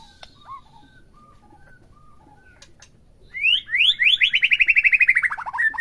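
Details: White-rumped shama recording meant to provoke a captive bird to sing: faint scattered whistles, then a loud, fast, descending series of buzzy repeated notes for the last few seconds.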